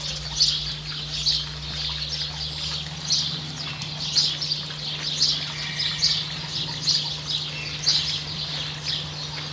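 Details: Variable oystercatcher with its chick in New Zealand calls persistently, a long run of clear high-pitched piping notes about once a second, while a low hum continues throughout.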